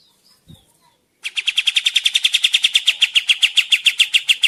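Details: Active kapas tembak song for trapping lures in the forest: after a faint start, a sustained train of sharp chirps repeated about three to four per second, steady and unbroken to the end.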